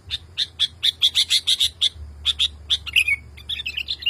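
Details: Agitated male sooty-headed bulbul calling to a female, stirred up by other bulbuls calling; a rapid run of about a dozen sharp chirps, then scattered notes and a downslurred twitter, with a faint low hum behind.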